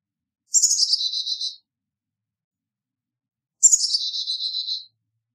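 Carolina Chickadee gives two high, thin phrases about three seconds apart. Each opens with sharp notes and drops into a quick run of lower, buzzy notes. Nothing else is heard.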